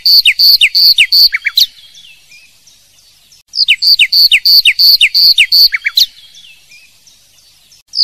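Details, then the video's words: Nightingale singing its tirlira note: two bursts of rapid, high, clear repeated notes mixed with short downslurred whistles, each burst lasting under two seconds and separated by a quiet pause. "نوطة العندليب تيرليرا"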